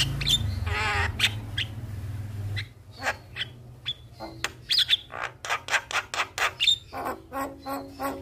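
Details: Javan myna song used as a lure for a silent myna, opening with a noisy rasping burst, then a quick irregular run of sharp clicks, chips and brief whistled notes over a low hum.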